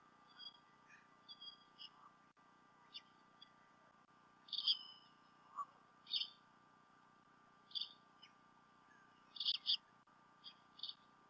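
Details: Bald eagles, both adults at the Decorah North nest around midday on 28 February 2016, on a nest camera; scattered thin high chirps building into clustered squeaky bursts, some doubled, over a constant hum.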